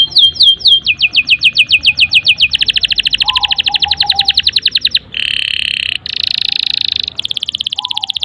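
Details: Canary in full, long song, used as a lure to get young canaries and silent birds singing: rapid rising sweeps, then dense buzzy trills, a low warbled phrase, and a bright rattling tour, all continuous.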